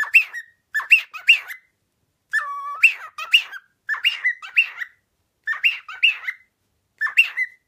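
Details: Ten-year-old pet pearl cockatiel with a strong sense of rhythm, performing its own self-made 'Kamehameha song', recorded 20 August 2016. Short bursts of two or three rising whistled notes, repeated in rhythmic phrases with brief gaps, plus one longer level whistle.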